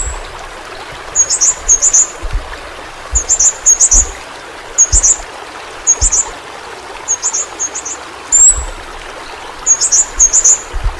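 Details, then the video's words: Flowerpecker used as a tutor recording for pet birds, giving very high thin paired chirps in short bursts about every second, over a steady background hiss like running water. "Burung Pentis Pelangi Masteran"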